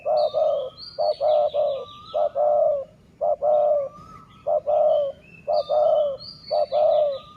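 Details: Decoy dove of the city-line style cooing steadily: low, mellow notes in clusters of short and drawn-out coos, repeated roughly every second with brief gaps. Higher twittering calls of small birds run above throughout.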